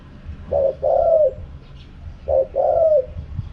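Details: Mellow spotted dove coo in the wild 'kharom pa' style: two phrases, each a brief stuttered opening and a longer downward-sliding croon, about 1.8 seconds apart over soft low noise.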